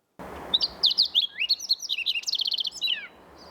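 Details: Fox sparrow (Passerella iliaca) on the Pacific Crest Trail ascending Mount San Jacinto from Idyllwild sings a rich, liquid three-second song of sweet slurred whistles, a quick run of bright repeated notes and a final downslurred phrase; it resembles the green-tailed towhee's song.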